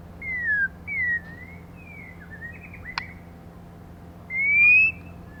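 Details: Used to stimulate males, a female white-rumped shama gives falling whistles, soft slurred notes and a sharp click, then one long clear rising whistle.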